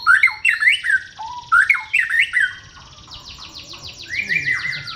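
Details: White-rumped shama song: fluting, twisting whistles and sharp notes open the passage. A quieter stretch of rapid, buzzy, repeated high strokes follows, then a lower descending whistle near the end.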